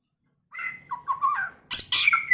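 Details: White-rumped shama in early-season varied song: a level whistle, then lower gliding whistled notes, then a sudden burst of harsh, scratchy high notes ending on a clear whistle.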